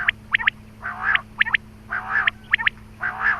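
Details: Quail call used to lure quail for hunting: sharp high chirps in quick pairs and triplets alternating with broader, harsher bursts, roughly once a second, over a steady low electrical hum.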